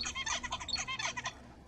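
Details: Adult male zebra finch, the father and song tutor of a chick, sings: a quick run of buzzy, nasal syllables mixed with short high chirps, a motif repeated in under two seconds.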